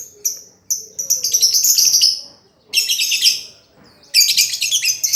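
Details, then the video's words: Lovebird song as master material for a lovebird that stopped singing: a few sharp high chips, then long grating chatter phrases broken by short pauses. "Master untuk lovebird yang macet bunyi"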